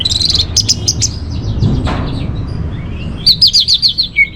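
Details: Captive orange-headed thrush singing as a lure and master song: scattered high chips, then a rapid series of bright whistled notes ending in a clear falling whistle, over faint background rumble.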